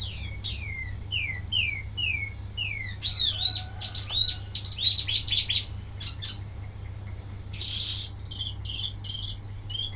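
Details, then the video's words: Wambi mini song used for training other birds: a series of falling whistled notes, then sharp chirps and short buzzy bursts, ending in scratchy notes over a constant low hum. "suara asli wambi mini tembakan mantap buat masteran"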